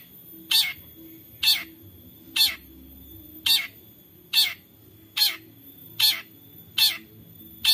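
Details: Long-tailed shrike lure recording from Central Java, Indonesia, made on an Android phone to rouse silent shrikes: nine short, grating, broadband rasps spaced roughly a second apart, steady and regular over soft background hum.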